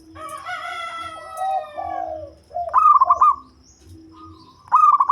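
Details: Deep-voiced local zebra dove, kept for luring birds, bursts into quick hooked coo phrases. Before them comes a long, harmonic, falling tone from another source.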